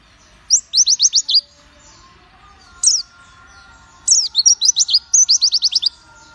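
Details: Pleci white-eye in lively song, giving bursts of quick, high, descending chips in tight series, separated by pauses, with one isolated sharp note between bursts.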